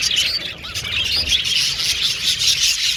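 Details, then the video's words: Aviary budgerigars produce overlapping squeaky chirps and wavering warbles, a lively high-pitched chatter from many birds together. "Budgies Chirping Sound"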